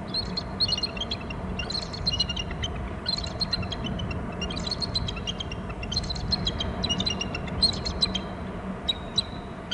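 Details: Two bald eagles calling near their nest on Hornby Island, recorded by a nest and territory camera after one left the nest. Bursts of rapid, high, thin chittering notes are repeated in several series, with a steady low electrical hum underneath.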